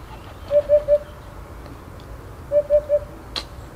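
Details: Eurasian hoopoe calling to another hoopoe in a neighbour's pines: two soft, low, hollow 'oop-oop-oop' triplets about two seconds apart, then a single sharp click.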